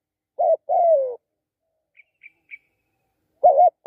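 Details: Spotted dove giving one two-part coo, a clipped note then a longer descending one. A few faint high ticks follow before the next coo begins at the end.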